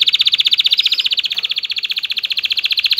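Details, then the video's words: Excited male canary singing to stimulate females to mate: a continuous rapid buzzy roll of quick pulses. The pitch dips briefly partway through, then the trill runs on steadily. "طائر كناري هائج. لتحفيز اي انثى على التزاوج"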